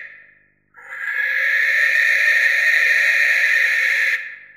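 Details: Barn owl, Tyto alba, after a short fading end of one call, lets out a drawn-out, breathy, rasping shriek of about three and a half seconds that stops abruptly.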